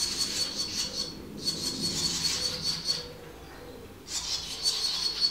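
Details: Five swallow nestlings begging as parents feed them at a nest in a back passage. A dense, continuous high hissing, buzzy chorus breaks off briefly and then resumes, with faint lower rustling beneath.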